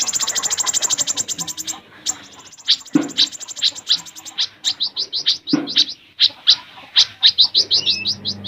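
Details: Song of an olive-backed sunbird in full trilling and sharp note bursts. A fast, very high, even trill opens, then comes a run of sharp staccato chips and short rattles, closing with quick upward-flicked notes.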